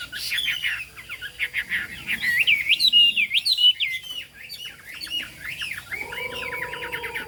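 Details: Chinese hwamei singing 'cao cầu': a tangle of quick, rising whistles that builds to a loud rippling trill, fades briefly, then returns as looping notes over a low sustained tone.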